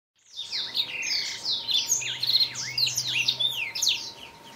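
A Black-throated Canary sings a fast, high, tumbling warble of sweeping chirps and trills that runs without a break, over a faint steady hum.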